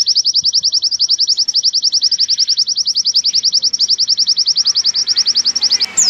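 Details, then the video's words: Oriental white-eye in a long, clear 'nembak' song meant as tutoring material: steady, high-pitched repeated chips, roughly three or four per second, ending in a brief sweeping whistle. "MASTERAN PLECI nembak panjang dan suara jernih"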